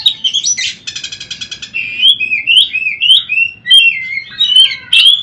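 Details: Oriental magpie-robin training song. It opens with a buzzy, rattling burst of rapid pulses, then moves into fluid whistled phrases that swoop up and down, ending with sharp, high notes.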